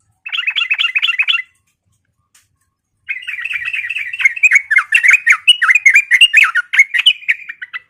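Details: Fighting call of a sooty-headed bulbul, used to stir up other birds: about a second of fast bubbly notes, a gap of near silence, then a long, loud run of rapid, jumbled chattering notes.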